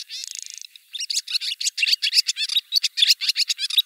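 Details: Barn swallow singing in Siberia, Russia: a fast, high twittering run of sharp chirps and warbles, opening with a dense buzzy rattle, then bright clipped notes delivered about four per second.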